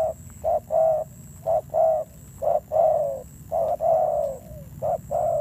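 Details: Fierce-voiced spotted dove, freshly trapped from the wild, delivering rounded low coos in short-long pairs, the longer notes slightly falling at the end, about one per second, over a soft hum and thin high whine.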